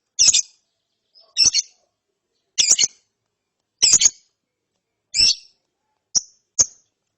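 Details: Ngeriwik twittering from a lovebird chick following therapy: seven scratchy, high chirps roughly once a second, the last two thinner and clipped.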